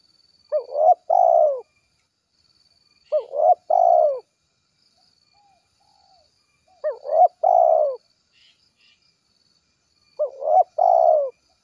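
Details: Spotted dove calling to its companions, giving a short two-to-three-note low coo phrase repeated about every three seconds, with silence between the phrases.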